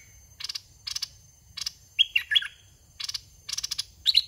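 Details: Caged red-whiskered bulbul of the dok taeng song style, used as a decoy to lure wild birds: short buzzy rattling bursts alternate with a few clear warbled, rising-and-falling whistled notes.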